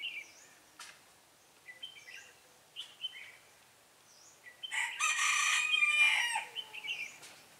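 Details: {'caption': 'Red-whiskered bulbul recorded while being trapped, 12 February 2017: brief clear whistled phrases, repeated about every second, with high thin chevron notes overhead and a loud harsh rushing burst in the middle, like fluttering or rustling.'}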